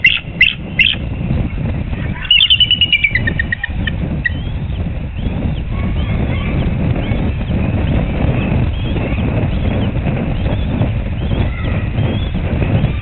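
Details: Adult female eagle at her nest at a reserve in Surrey, standing up and calling out on the afternoon of 4 April 2021 beside a day-old hatchling and a pipping egg; a few sharp high notes, then a quick descending chittering series, over steady wind rumble and faint small-bird chirps.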